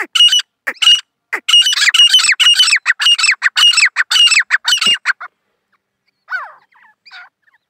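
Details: Grey francolin calling loudly: harsh, ringing, grating notes repeated in a fast rhythmic series about twice a second for five seconds. It stops, then two fainter calls follow after a pause. No other sounds are heard.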